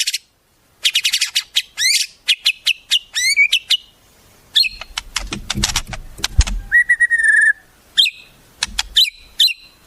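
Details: White-rumped shama song of the masteran type, filled with wild-bird imitations: rapid sharp chirps and whistled notes, upslurred phrases and a steady mid whistle, with a brief low rumble in the middle.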